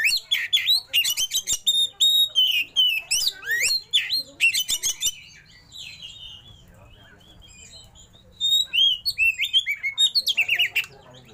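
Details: Long run of oriental magpie-robin isian song with rolling shots and tail opening: volleys of sharp clicks and swooping whistles, a softer chattering lull in the middle, then a fresh burst of rapid repeated notes.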